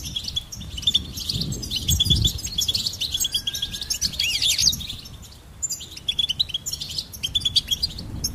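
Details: Busy high-pitched goldfinch twittering with buzzy trills and tinkling chirps, a short level whistle partway through and a quiet gap before the chatter resumes; low thumps underneath.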